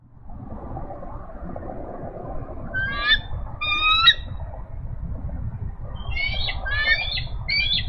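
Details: Female eagle calling loudly from a branch near the nest on April 4, 2018, at 12:09 pm CDT, backing up her mate as he chases a squirrel away from their 4-day-old and 2-day-old eaglets. Five bursts of high, stuttering, piping notes over low wind rumble.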